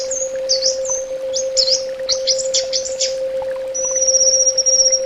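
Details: Orange-headed thrush song: quick run of high whistled, looping notes, then a long thin steady whistle held for over a second, over a constant low electrical hum.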